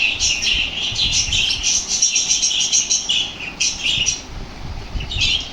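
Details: Lovebirds grown lively and energetic after hearing lovebird sounds keep up a dense stream of shrill, twittering chirps, nearly continuous with a couple of brief gaps.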